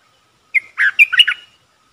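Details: Wild-bird-luring decoy red-whiskered bulbul, recorded 23/07/64: a single lively phrase with a sharp opening whistle followed by four or five rolling, warbled chirps, with a faint trailing tone and no other sounds.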